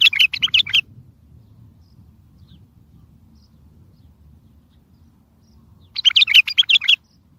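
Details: Strong bulbul song used to prompt silent birds to sing, to lure other bulbuls for trapping and to answer distant ones: two bursts of rapid, chattering high notes, each about a second long, separated by a quiet pause.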